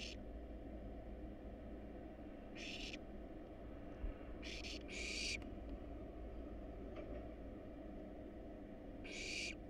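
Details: Wild barn owl nestlings, hungry as they eat a rat and rabbit in a monitored nest box, give a run of harsh hissing screeches, two close together mid-clip, with faint clicks and a low background hum.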